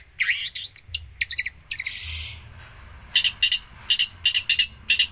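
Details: A long-tailed shrike pours out a mimicry-rich song, starting with tangled warbling and short ticking clusters, then a soft buzzy hum, followed by evenly spaced pairs of sharp, clipped chip notes.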